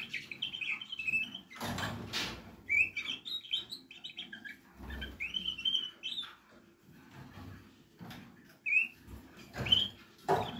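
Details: Nestling Portuguese Harlequin canaries produce repeated high, thin squeaks and upslurred chirps in clusters every second or two, broken by loud rustling and bumping sounds.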